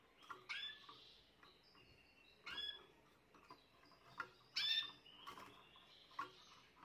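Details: Song of a young Timbrado canary from this year's brood, 14 June 2023: scattered high, clear chirps and short metallic notes every couple of seconds over soft clicking and low background hiss.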